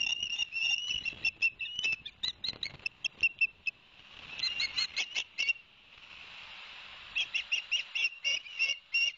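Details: Osprey whistling at a Barnegat Light, New Jersey nest camera, 11 September 2021, the day the male delivered two fish to the young: bursts of quick, piercing chirps, a hushed pause with soft hiss, then another rapid chirping series.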